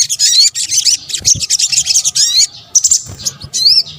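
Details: Sunbird, known locally in Indonesia as sogok ontong, in a combined call recording used as a lure: dense high-pitched twittering in quick bursts, with thin upward-sweeping whistled notes and brief pauses between phrases.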